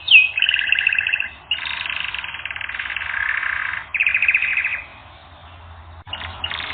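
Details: Canary singing on a training recording: rolling trills of repeated notes in fast tours, switching type every second or so, a sharp opening note, a near-silent pause, then a fresh burst of song.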